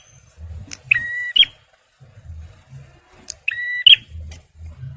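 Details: Male bar-winged prinia song, used to lure birds and to rouse stressed ones. Two separate phrases, each a held, overtone-rich tone closing with a sharp, high note. Low, rumbling background noise runs throughout.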